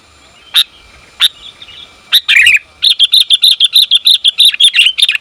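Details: Female sooty-headed bulbul calling the male: a few spaced single chirps, a rough burst, then a long rapid series of about fifteen bright, sharp, high notes delivered several per second.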